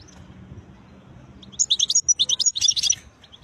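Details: European goldfinch, said to be wild, giving a quick burst of song: rapid, bright twittering notes climbing and tumbling in a tight sequence lasting under two seconds, after near quiet.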